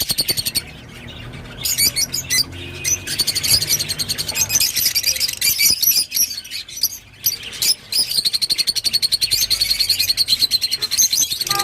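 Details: Rosy-faced lovebird song: long runs of rapid, high-pitched twittering and squeaky chatter, broken by short pauses and a few harsher squawks. The rhythm stays quick and insistent.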